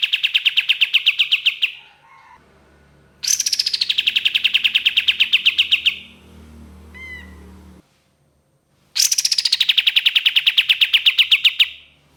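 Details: Long-burst 'tembakan' song of an ashy tailorbird, locally kapas tembak, played as a lure: three rapid volleys of sharp repeated notes, each lasting a few seconds, separated by quieter gaps with a brief rising whistle and low hum.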